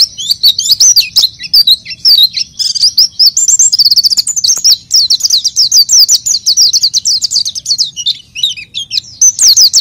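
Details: Lure song of a chatty oriental white-eye for untrained birds: about ten seconds of fast, shrill, sweeping chips run together into long twittering phrases, very high and steady.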